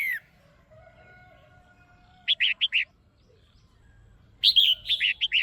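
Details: A caged female red-whiskered bulbul calls to excite a male, producing a tight group of four clear whistled notes, then after a pause a longer, livelier phrase of varied warbling whistles.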